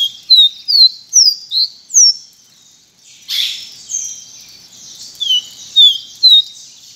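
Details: Pileated finch gives a quick run of five ringing, down-slurred whistles. After a short rustle comes a softer continuation of similar whistled notes.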